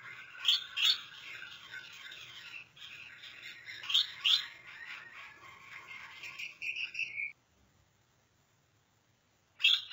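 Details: Gouldian finch (Erythrura gouldiae), song: courtship display during breeding.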